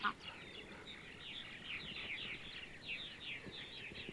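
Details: Purple martins heard on a sunny Sunday morning in central Ohio, producing a run of quick descending chirps and twittering notes over soft background chatter.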